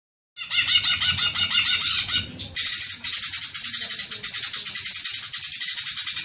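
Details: Green magpie lure sound meant to trigger long chattering: fast, harsh, high-pitched notes pulsing several times a second, shifting after a short break into a denser, steadier rattling run.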